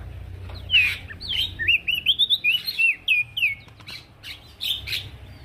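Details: Male prinia singing actively as a training recording: a quick chain of short, swooping whistled notes over a low rumbling background, with scattered sharp clicks between phrases.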